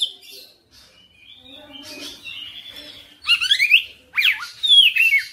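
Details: Magpie-robin (kacer) singing at full repertoire: quiet, faint warbled notes at first, then loud sweeping whistles with steep up-and-down slurs in two strong bursts during the second half.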